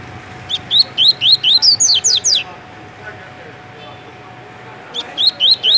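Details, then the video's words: Singing double-collared seedeater, caged, from Rio de Janeiro, Brazil, in tui-tui style: a rapid burst of about ten rising whistles ending in sharper higher notes, then a pause and a fresh phrase beginning. "Coleiro TUI TUI MUSTANG dando um show de cantoria"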